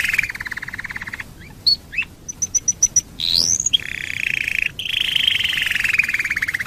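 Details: Domestic canary singing as a lure to prompt other canaries to sing: long buzzy trill near mid pitch, a row of short high pure notes, a rising sweep, then another extended rolling trill.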